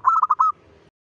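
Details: A single brisk phrase from a local zebra dove at dawn: about five clipped, resonant coo notes in quick succession, fading into a quiet low hum.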